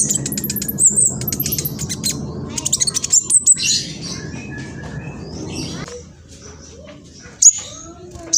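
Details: King konin (black sunbird), spotted juvenile, East Java, Indonesia, singing to set off other birds: a burst of high rapid ticks and twitters at the start, then quieter with scattered thin chips over low background rumble.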